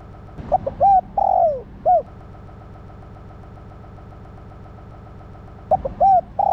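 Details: Female spotted dove calling to stimulate the male: a low phrase of short notes, a long falling coo and a final arched coo, repeated after a pause, over a steady engine-like hum.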